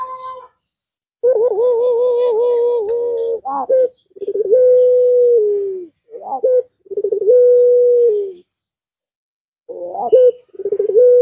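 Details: Provoking call of a puter pelung (Barbary dove) that sets other doves calling. Long, rich, level coos and rolling phrases with short rising notes between them and pauses of silence.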